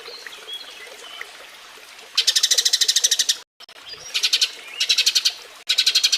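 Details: Eurasian tree sparrow mating call used as model song for training cage birds. After a quiet start, fast chattering chirps come in short bursts, one about a second long, then several briefer runs separated by brief pauses.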